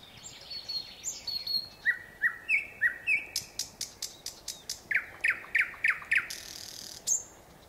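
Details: Nightingale singing: clear whistled notes sliding down, then loud slurred phrases and a rapid run of sharp, repeated clicking notes about four per second, ending with a high whistle; quiet background.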